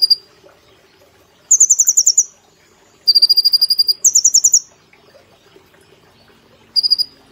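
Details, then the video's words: Captive brown-throated sunbird singing for cage-bird training in a fast shooting 'nembak' style. Short staccato trills switch between two pitch levels, with quiet gaps of about a second between bursts. "Kolibri Ninja Gacor Nembak Platuk Cililin Sejalur"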